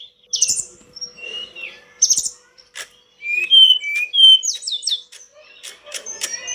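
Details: Pied bush chat master song for pet-bird training: scratchy chatter bursts, then clear falling whistles and quick twittering notes, delivered in irregular phrases with short silences.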